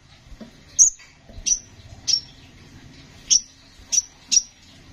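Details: Kolibri ninja (konin) sunbird singing loudly, used as a tutor recording for songbirds: six sharp, very high chirps spaced irregularly over five seconds, each a brief downward flick, with soft low thumps in the background.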